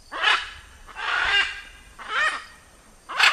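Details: Blue-and-yellow macaw calling with four harsh, grating squawks spaced about a second apart, each a coarse broadband burst with a slight rising-falling shape, background otherwise quiet.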